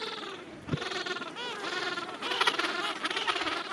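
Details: Gentoo penguins in a breeding rookery holding thousands of birds, late summer. Harmonic, wavering brays overlap from several birds, with a low thump near the start and a steady colony murmur throughout.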